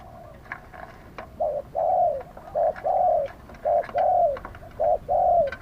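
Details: Live decoy spotted dove calling to draw in wild doves, wild-style voice: four paired phrases, each a brief low coo then a longer, slightly falling coo, repeated roughly every second, over low background hiss and faint clicks.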